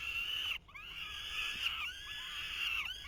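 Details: Falcon chicks at a 2023 nest while the male attempts to feed them, giving a continuous, strained, wheezing screech broken by one brief pause near the start.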